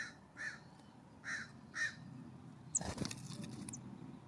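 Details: California scrub-jay at a ground feeder below a cabin, warm September morning; three harsh, nasal, rasping notes spaced unevenly, then a clatter of knocks and a sharp high squeak against soft background hiss.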